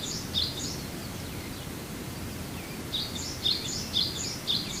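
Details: In February on Amami, a Japanese white-eye gives a couple of high, squeaky chirps, falls silent, then produces a fast run of sharp, thin notes near the end.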